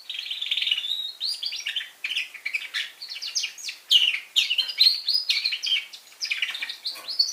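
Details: A young red factor canary sings a continuous, high run of rapid trills and chirpy phrases, changing pattern every second or so, with no other sounds.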